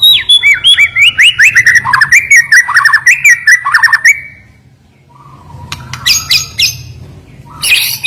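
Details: White-rumped shama (murai batu) singing sharply, meant to rouse reluctant birds; a rapid four-second run of crisp whistled and chattered notes, then quiet, then loud high scratchy bursts, low hum beneath.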